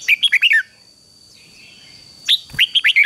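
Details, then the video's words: Red-whiskered bulbul song meant to train a wild-caught bird: a run of five quick warbled whistles, a short pause, then another rapid series of bright slurred notes. "luyện cho chào mào bổi hót"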